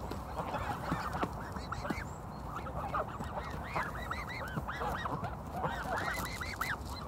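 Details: Canada geese at Kirby Muxloe castle in spring: a dense flock honking continuously, many overlapping arched nasal honks over a steady background rumble.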